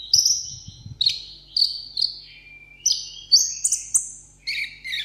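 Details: Caged sunbird, known locally as the seven-colour sunbird, sings solo in a table-top singing contest: bright, high whistled notes and thin buzzy trills in short bursts about every half second, some rising and others falling, with faint low background hum.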